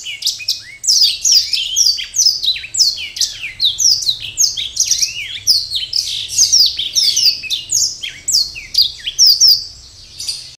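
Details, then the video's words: Black-throated canary in song to attract a mate: dense, lively warbling of quick high notes, falling whistles and buzzy bursts that runs on for about ten seconds before stopping abruptly near the end. "Blackstroath Ngajak Kimpoy"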